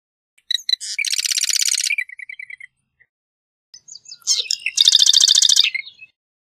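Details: Marsh wren singing two songs: each opens with a few sharp clicks, then a dense, rapid, buzzy trill of repeated notes lasting about a second, the first ending in a short run of softer notes.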